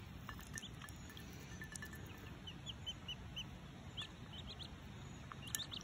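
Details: An orphaned wood duckling in care, taking its first bath in a shallow drinking dish, gives soft, high peeps: short, arched notes in quick little bursts, over a steady electrical whine and a low rumble.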